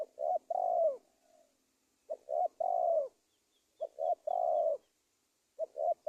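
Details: Spotted dove coos used to lure wild doves into traps in Indonesia: repeated three-part phrases, two brief notes and a long downward-curving coo, roughly every two seconds, with soft distant bird chirps.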